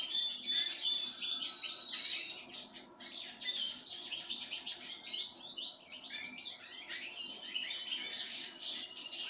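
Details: Pine grosbeak while eating sunflower seeds, producing rapid, dense chattering chirps with brief dips in loudness midway.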